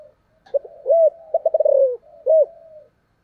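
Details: Coo phrase of a spotted dove, 'thổ sấm' voice, 'thúc' and calling: mellow hoots, then a quick pulsed run of notes sliding down, a pause, and one loud arched coo trailing off softly.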